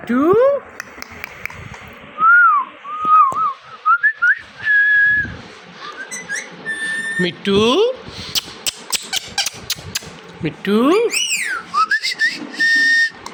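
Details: Indian ringneck parakeet kept as a pet indoors, mimicking speech: wavering whistled notes around the middle register, some long steady tones, mixed with sharp clicks and short spoken-sounding bursts, and a rising swoop near the end.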